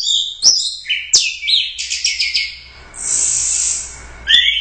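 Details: Orange-headed thrush, a first-place Royal Cup competition winner, delivering quick high whistles and a rapid run of repeated chirped notes, then a sustained hissing rasp before a final whistled phrase.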